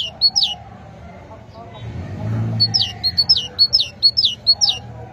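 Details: Great tit singing: a brief burst of high, sharp two-note phrases, a pause with a low rumble in the background, then a fast run of about a dozen bright, repeated see-saw notes.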